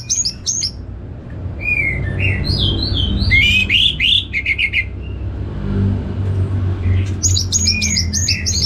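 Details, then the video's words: Orange-headed thrush singing strongly. Rapid chattering notes open the clip, followed by varied rising whistles and buzzy slurs, then another run of quick chirps near the end, over a constant low rumble like passing traffic. "Diputarr ANIS MERAH Langsung Gacor Nyaut Joss"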